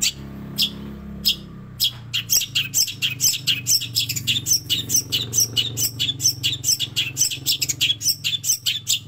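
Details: Long-tailed shrike master recording mimicking sparrow and prinia: a fast, dense run of sharp high chirps and squeaky notes, roughly two per second, loud and continuous, with a faint low hum beneath.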